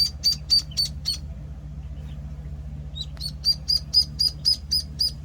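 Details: One-week-old Penciled Call ducklings utter clear, high, whistled peeps in steady rhythm, pause for nearly two seconds, then resume a brisk regular series, with a soft low hum.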